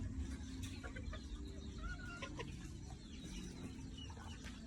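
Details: Red junglefowl, many birds together in a backyard, giving scattered short clucks and a brief wavering note over a steady low rumble.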